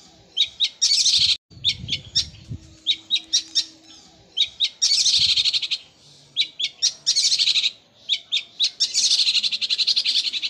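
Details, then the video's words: Long-tailed shrike in sparrow-like song, its fast rolling bursts likened to a sewing machine: rapid rattling trills of high chirps alternating with spaced single notes, in bursts a second or two long. "Cendet suara gereja Kunti tembakannya seperti suara mesin jahit roll speed fighter"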